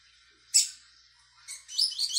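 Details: Learning the tui tui song, a brown-plumaged young Double-collared Seedeater, 22/05/22: a single sharp high note, a pause, then rising into a quick high twittering phrase.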